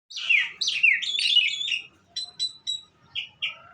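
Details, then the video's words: Bird singing a quick, warbled run of high sliding notes for about two seconds, then pausing between a handful of short, separate bright chirps. "suara burung"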